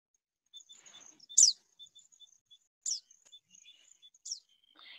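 Blyth's Pipit giving three short, high, buzzy downslurred calls about every one and a half seconds, softer than a Richard's Pipit, over faint high chirping from other birds.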